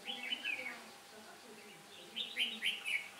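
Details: Singing red-whiskered bulbul used as a trapping decoy, 15 October 2017, a day the wind turned; a warbled whistled phrase, a pause, then a brighter burst of quick chirpy whistles.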